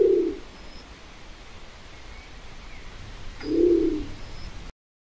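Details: Nicobar pigeon giving two short, deep, grunting coos about three seconds apart over a soft steady background hiss.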